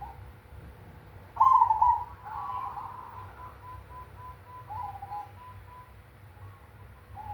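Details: Cemani-type zebra dove giving a big 'kung' song: one loud burring coo at the start, then a trail of soft evenly spaced clipped notes fading off; constant low background hum.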